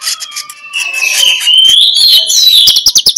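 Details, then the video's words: Morning magpie-robin song of the ngeplong type, used to draw other magpie-robins into singing; a sustained whistled tone with buzzy overtones swells, then ends in a quick series of pulsed ticking notes. "MENJUR untuk PIKAT Konin Lelet jadi NGOBRA, Menggunakan Suara KONIN Ngeplong"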